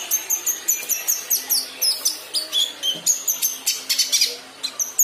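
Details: Young kinoi learning to sing: a fast string of short, high chirps with sharp downward-sweeping notes, repeated several times a second in uneven bursts, with a faint low hum beneath.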